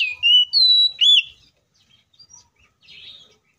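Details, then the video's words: Oriental magpie-robin fighting song, kept to set off other magpie-robins: three loud, clear whistles, some sliding upward and bending, within the first second and a half, then only faint scattered chirps. "KACER GACOR FULL ISIAN MEWAH TARUNG NGEPLONG NGOTOT❗PALING AMPUH BUAT PANCINGAN KACER AGAR BUNYI!"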